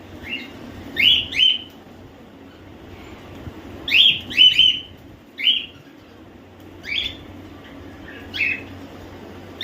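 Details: Several home-bred cockatiels (Nymphicus hollandicus), babies and semi-adults, give short rising chirps in loose clusters, calling over one another.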